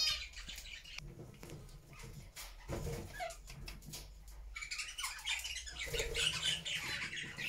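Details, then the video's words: Happy captive budgie flock in their homemade cage; soft scattered chirps and a few low thuds at first, then from midway the birds break into loud, dense warbling chatter. "Budgie sounds to make them sing!!"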